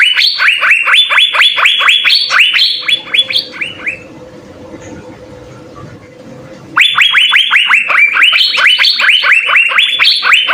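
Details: Asian fairy-bluebird in full song, recorded as a master for training songbirds: two long bursts of quick upswept whistles, roughly two per second and sometimes stepping higher, separated by about three seconds of near silence with faint background hum.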